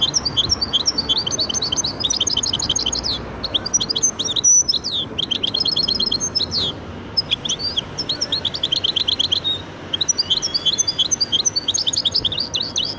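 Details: Caged goldfinch × canary hybrid singing a fast, continuous run of high chirps, trills and twittering notes with brief pauses, accompanied by scattered sharp whistles throughout.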